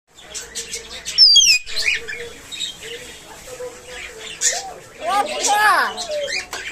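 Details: A pet talking common hill myna gives loud, sharp whistles and squeaky, speech-like phrases with rising and falling sweeps, ending in a rich burst of gurgling chatter.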